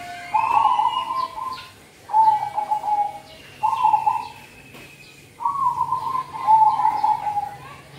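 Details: Zebra dove, or perkutut, used as a cold-season lure: four bursts of soft rolling coos, each about a second long with gaps between, backed by a faint steady whine and a low hum.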